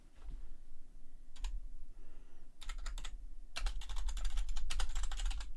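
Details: Indoor clicking and clattering like fast typing on a keyboard, sparse at first and then dense and loud, over a low rumble, with no animal sound.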